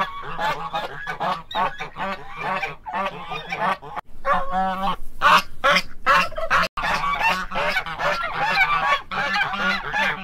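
Guineafowl give harsh, rasping calls in rapid, overlapping series, several birds at once.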